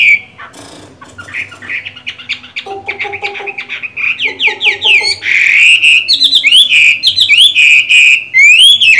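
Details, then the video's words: Caged Chinese hwamei, a green-eyed bird, singing while moulting: loud varied whistled phrases with rising and falling slurred notes, a short low stuttering passage, then rapid repeated swooping whistles growing louder toward the end. "Họa mi hót hay, mắt lục đậu, vẫn phong độ khi thay lông"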